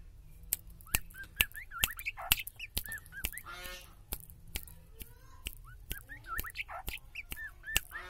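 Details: Local white-rumped shama singing: short hooked, whistled notes, rising then falling, given in quick pairs and runs, with a harsh rasping burst midway and sharp clicking snaps throughout.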